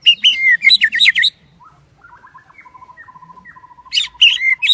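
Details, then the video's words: Daklak shrimp-tail white-rumped shama singing during the windy season, loud clipped whistles and harsh chatter opening and closing the passage, separated by a soft, evenly repeated series of low piping notes. "Chích chòe lửa đuôi tôm daklak shama bird sing"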